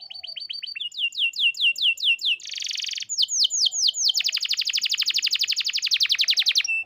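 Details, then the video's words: Canary song: rapid repeated downslurred whistles, a buzzy burst, then a long fast trill of high notes, loud and clean with no background noise. "Natural Sound of Forest Birds Chirping || Canaries"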